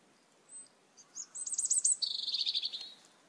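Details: Asian glossy starling in a flock at backyard papayas: faint high whistles, then a rapid stuttering run of sharp squeaks and a buzzy, wavering high note, over a steady hiss of background noise.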